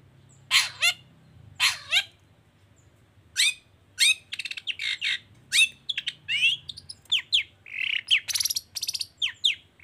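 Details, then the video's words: Long-tailed shrike in full 'toet toet' song, used as a lure to get other shrikes singing: harsh, buzzy downslurred notes in a series, then faster chattering and varied squeaky phrases, quiet low hum beneath. "Suara Cendet Gacor Toet toet"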